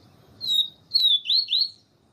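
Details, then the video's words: Yellow-bellied Seedeater, known locally as papa-capim, giving siu siu song with a female calling to excite the male. Four clear high whistled notes, the last three gliding and closely spaced, over a quiet background. "Canto Papa capim siu siu com Fêmea chamando para Esquentar papa capim siu siu"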